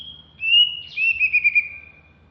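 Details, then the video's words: Caged greater green leafbird of Alas Purwo stock, contest-ready, Jatiasih, Bekasi, giving agitated song: a sustained clear whistle sliding downward, a brief chirp, then a quavering whistled run of rapid pulses. "Cucak Hijau Alas Purwo Ngamuk"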